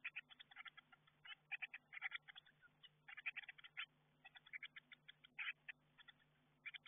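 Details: Fledgling-age Eurasian blue tits in a garden nestbox getting ready to leave, heard on the nestbox camera: a continuous stream of short, squeaky chirps in rapid groups, with a low electrical hum underneath.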